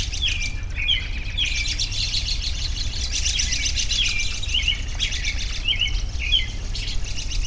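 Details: Repeated short, upward-sliding whistled chirps from one bird, roughly every half second to a second, over a backdrop of faint twittering and low hum.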